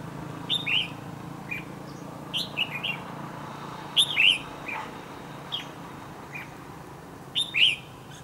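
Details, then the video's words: Red-whiskered bulbul, a wild-caught bird with a dark bib, used as a fighting decoy in a trap. Gives short bright warbled phrases with quick rising and falling notes, repeated every one to three seconds over a soft background hum. "Bẫy đấu chào mào"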